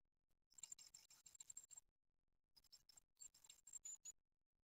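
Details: Newly hatched great tit chicks in a nest at Ostwald, first hatching of the 2020 season on 6 June 2020, give faint, very high, thin squeaking cheeps in two quick bursts of rapid notes, with a quiet pause between.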